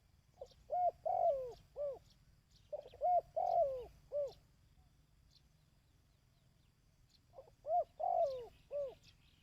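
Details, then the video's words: Three bursts of dove cooing, recorded for training decoy birds. Each burst has several mellow, arched notes with one longer falling coo, with pauses between bursts and faint high twittering. "Tiếng Chim Cu|Kích Bổi ( Tập Mồi )"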